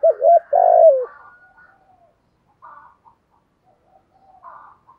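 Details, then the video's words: Decoy spotted dove, used to attract doves, delivers one phrase of two quick hoots and a longer falling coo, followed by several seconds of faint, distant cooing. "Chim Cu Mồi, cu gay kich boi nhanh noi gù"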